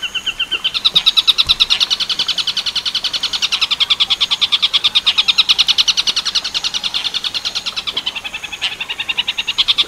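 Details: Long-tailed shrike training recording in the tengkek buto werkudoro song style, with 10-second gaps. A fast, steady, buzzy chattering trill of sharp rhythmic notes runs almost continuously, swelling and easing in loudness.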